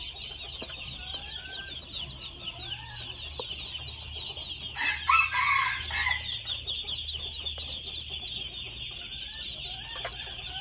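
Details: Red junglefowl aged two months: a few faint chirps early, then one harsh, harmonic call lasting about a second near the middle, over steady shrill buzzing that persists throughout.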